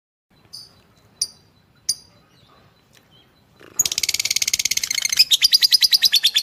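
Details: Fighter lovebird, master recording to train others: three isolated thin, high chirps, a short pause, then an abrupt burst of rapid, metallic, buzzing chatter with regular pulses continuing to the end.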